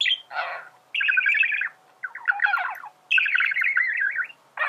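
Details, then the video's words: Male budgerigar warbling for teaching birds to sing: a short high note, a rough buzzy burst, then three long runs of fast chattering, clicking notes separated by short gaps. "تغريد ذكر بادجي"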